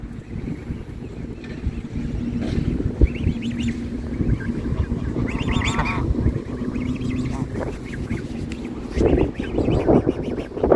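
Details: Massive flock of geese coming out of the water to look for food, giving scattered nasal honks over a constant low rumble of splashing and crowd noise.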